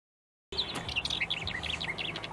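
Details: Northern wheatear in the Ankara countryside, Turkey: a rapid run of short, scratchy, chattering notes rising and falling in pitch, with a few sharp clicks and a noisy background.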